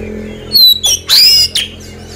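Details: Oriental magpie-robin lure song meant to prompt post-moult birds to respond fast: a few short, shrill notes and one drawn-out rising whistle, with a quiet hum behind.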